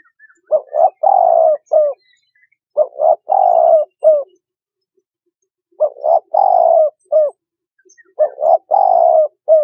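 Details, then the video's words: Spotted dove cooing in four clear phrases, each a quick pair of notes, a long mellow falling coo and a short final note, with pauses between phrases and a quiet background. "Tiếng Chim Cu Gáy"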